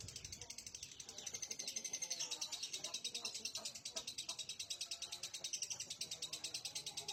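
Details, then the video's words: Lovebird singing a long, dense run of high, buzzy chirps and rattling trills, pulsing roughly twice per second with little pause, while soft human speech murmurs underneath. "Lovebird mania"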